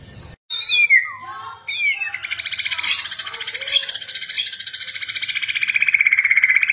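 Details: Borneo white-rumped shama, kept in captivity and displaying actively, opens with sliding whistles, then shifts into a dense, rapidly pulsing buzzy trill that grows louder toward the end.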